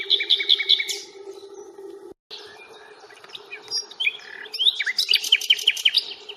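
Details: Common nightingale singing during a walk around the Fingringhoe reserve on 1 May, recorded on a Panasonic Lumix FZ82: fast runs of repeated high chirps, a short pause, then rapid whistled notes and a quick stuttering series, with a steady low hum underneath.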